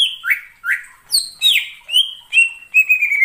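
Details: Wild greater green leafbird in forest, singing a varied series of clear whistles: two rising-falling slurs, sharp high notes, then drawn-out steady whistles toward the end.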